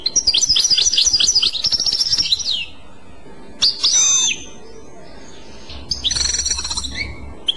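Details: European goldfinch singing the Clochette style: a fast run of high, bell-like repeated trills, a brief pause, then a buzzy descending phrase and another rapid twittering burst.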